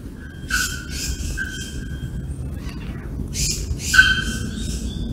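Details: Bare-throated bellbird (Procnias nudicollis) at Sao Paulo Botanical Garden, Brazil, August 2024: ringing metallic tonal notes with harsh broadband bursts, a loud clanging note near the end, over steady low background rumble.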